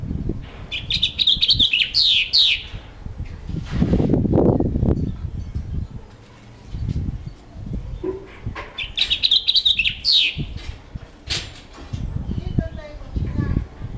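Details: House finch kept in captivity with other birds, giving two bursts of bright, jumbled warbling song about eight seconds apart, with scattered short chirps, shuffling and low thumps between them.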